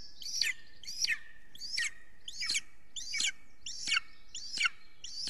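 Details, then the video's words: Golden eagle at an Estonian nest watched by a live camera, 3 June 2020 at 6:53 pm, as an adult brings huge prey. Loud, piercing yelps slide steeply downward, repeated evenly about every 0.7 seconds. "Kalju brings a huge prey"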